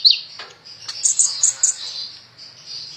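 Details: Sunbird, called the 'ninja' type and described as singing very actively, giving a sharp high note followed by a run of four bright piercing chips over a thin sustained twitter.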